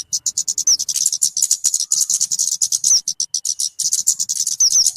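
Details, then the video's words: Talokan bird, known as kemade, on a luring and tutoring recording: loud, tightly packed high chips in quick succession, broken by short gaps, with a few downslurred whistles. "SUARA BURUNG TALOKAN/KEMADE"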